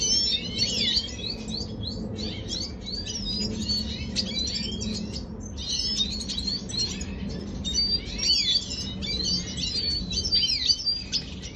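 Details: Red siskin from Venezuela singing, dated 2022.06.25; bursts of fast, high, scratchy twitters and slurred whistles in repeated phrases with brief pauses, over a faint low background rumble.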